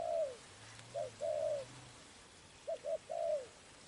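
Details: Spotted dove calling, recorded while trapping: soft low cooing phrases, a long coo, then a short double note and a drawn-out coo, repeated twice in a quiet outdoor setting.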